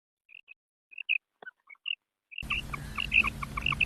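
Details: Female quail call, used as a lure for hunting quail in ripe wheat: short high chirping notes in irregular pairs and single bursts, then the same chirps continue over a sudden loud hiss.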